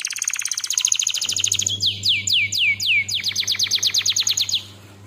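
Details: Canary song used as a lure and tutor track: a very rapid dry trill gives way to slower, looping downward-slurred notes, then a fast rolled series, with a constant low hum behind.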